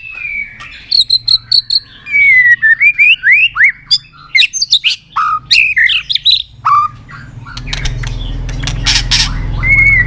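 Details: Song of a white-rumped shama, used to stimulate other shamas: fast ticking trills, then a string of loud whistled slurs and upward sweeps with sharp clicks, fading into rising background noise and a final whistle.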